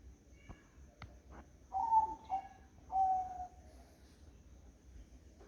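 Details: Zebra dove cooing on a foggy morning: soft, mellow mid-pitched coos, two drawn-out notes about a second apart, each slightly wavering, in an otherwise quiet setting with faint clicks.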